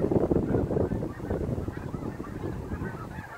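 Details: A large flock of snow geese landing at sunset on the Saint Lawrence River, fall 2017: dense, overlapping honking and yelping, loud at first then slightly fading, with constant low rumble underneath.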